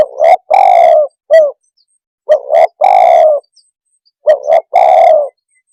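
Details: Spotted dove (tekukur) call played to make other birds agitated: three repeated phrases of paired short coos and a long husky falling coo, the first phrase ending with a clipped extra note.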